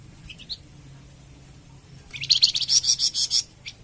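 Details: Flamboyan bird song for masteran and pancingan use. A few soft separate notes open, then after a pause a loud rapid series of harsh buzzy pulses repeats about four times per second before stopping.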